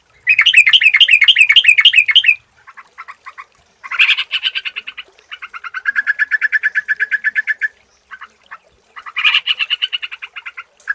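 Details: Yellow-vented bulbul lure recording for getting birds to sing at any time of day. A fast warbling chatter opens, then come broken runs of dry, clipped repeated notes and a longer steady rattling trill.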